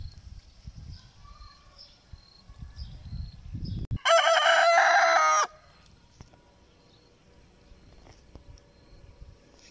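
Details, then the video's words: Single loud crow from a muscular Lohmann Brown rooster, a rich harmonic call of about a second and a half, held level after a short rising start, preceded by low rumbling noise and followed by quiet. "lohmann brown! muscular Rooster."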